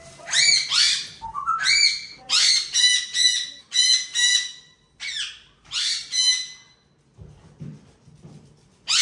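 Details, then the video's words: Three parrots bickering in a playful argument, the third interrupting the others: a run of loud, harsh, broadband squawks in uneven bursts, then a quieter pause with soft low sounds. "Chirpy Chatter: When Three Parrots Converse"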